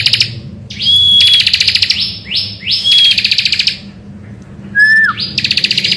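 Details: A Bar-winged prinia sings in the morning as a lure for other songbirds. Long buzzy trills with rising starts are broken by a clear flat whistle and a sharply falling slurred note, with a soft low hum beneath.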